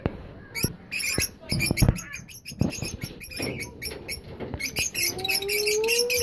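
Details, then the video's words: Caged lovebirds kept for breeding, including lutino, albino and yellow-green Fischer's birds, give rapid harsh, squeaky chirps in dense irregular bursts, several per second, with a few smoother whistled notes near the end and some background clatter. "Love Birds Lutino Albino and yellow green fishers parrot original Voice sound"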